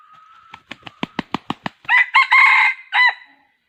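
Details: Red junglefowl decoy bird used for trapping wild junglefowl, giving a quick run of sharp, evenly spaced clucks that accelerate, then a loud, harsh crow in several ringing segments.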